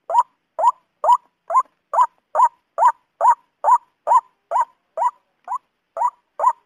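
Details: Male white-breasted waterhen in rice paddies giving a regular string of hoarse, slightly upswept notes, about sixteen in under seven seconds, one weaker note midway, otherwise steady and alone.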